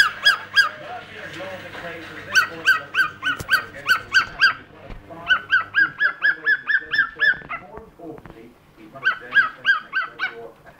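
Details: Pet cockatiel barking like the family dog it learnt the noise from, instead of whistling: short harsh harmonic barks, about four a second, in three bursts separated by brief pauses, with a low hum underneath.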